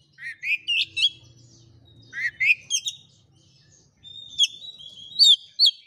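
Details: Oriental magpie-robin, a kept bird used to provoke a quiet, reluctant bird into answering a rival: loud rising whistled phrases with sharp upsweeps in bursts, then a thinner run of high warbled notes; faint low hum behind.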